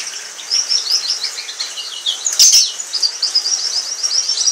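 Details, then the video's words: Orange frost canary from a pair, delivering a continuous high, rapid warbled song of rolling trills, with one sharp click midway. "Canary Singing"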